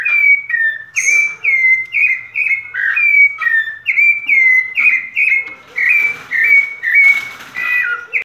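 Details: Rufous-bellied thrush in full song, delivering a continuous run of loud, clear whistled phrases, each short and level or gently falling, repeated roughly twice a second, with a brief burst of rustling noise near the end.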